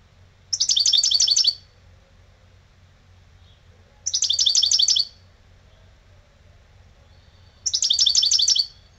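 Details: Old lebrijano-style European goldfinch gives three fast, rattling trills of high repeated notes, each about a second long, spaced roughly three and a half seconds apart with silence between.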